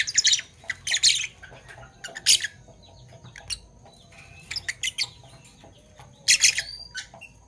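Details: A parblue violet or parblue turquoise Fischer's lovebird gives harsh, raspy squawks in short clustered bursts, separated by quieter gaps of a second or two, in the morning.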